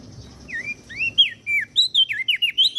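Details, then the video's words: Common iora and bar-winged prinia from Lombok, a training recording for cage birds: bright slurred whistles rising and falling, speeding into a quick run of chirped notes near the end. "Opior Jambul gacor Mental Juara Masteran Jitu Burung Prenjak Daun Lombok"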